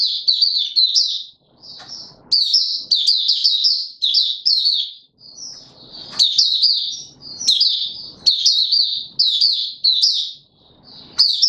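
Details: White-eye male, opening song while being pushed into form on 31 December 2021, delivers dense high-pitched chattering warbles in one- to two-second bursts with brief gaps and occasional sharp flicked notes; faint low background noise.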